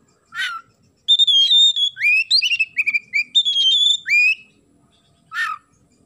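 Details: Oriental magpie-robin singing vigorously: a harsh sparrow-like chirp, then a continuous string of loud, fluty whistles sliding up and down, ending with another raspy chirp.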